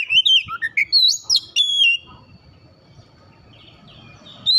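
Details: Oriental magpie-robin singing a short phrase of varied whistles and slurs, rising and dropping, then going quiet with faint background murmur before a final note.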